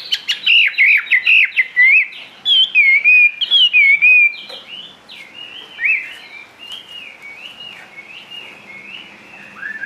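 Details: A Chinese hwamei, a caged songbird, sings loud, rich whistled phrases that slur up and down, fast and varied, fading to softer warbling in the second half.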